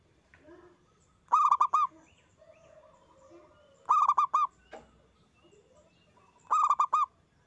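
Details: Local zebra dove with a big voice, a lure for other doves to sing: three quick four-note cooing bursts roughly two and a half seconds apart, soft chirps and whistles of other birds in between.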